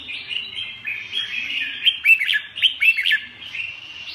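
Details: Red-whiskered bulbul producing soft running twitter that breaks into a string of loud, quick, rising-and-falling whistled notes before easing back to chatter.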